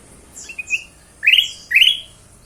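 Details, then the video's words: Ruby-throated bulbul song used as a lure to make other birds sing: a few clear whistled phrases, short notes then two louder rising slurred whistles, over a quiet background. "kutilang emas suara pancingan"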